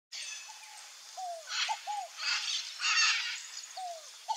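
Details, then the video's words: Scaled dove, called fogo-apagou in Brazil, wild: low, hollow cooing notes that slide downward, given in spaced pairs, a short note followed by a longer drawn one. Steady high insect buzzing and bursts of hiss fill the background. "DOVE, SCALED DOVE (COLUMBINA SQUAMMATA), FOGO-APAGOU, ROLINHA-CARIJÓ, ROLINHA-CASCAVÉL."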